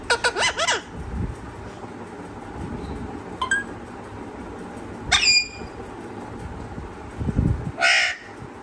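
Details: Parrot making short, bright, wavering squawks and whistle-like calls: a rippling burst at the start, a brief chirp near three and a half seconds, then two louder rising squeals about five and eight seconds in, with quiet indoor background between.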